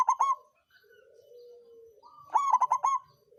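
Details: Zebra dove, local songgo ratu bird, singing a lure song to excite rivals into singing. A short stuttering coo opens, then a long low hum-like coo, then a fuller phrase of quick rolling notes.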